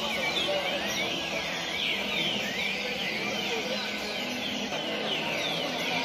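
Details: Several captive green-winged saltators (Saltator similis) in a group session for tournament training sing loud, rich, sliding whistled phrases that overlap without pause into a dense chorus over steady background hiss.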